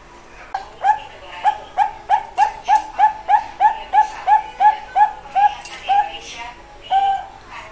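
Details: Soft-voiced zebra dove of the Bangkok type delivering a long run of about seventeen clipped, mellow coos in quick succession, slowing toward a final drawn-out note, in a quiet indoor setting.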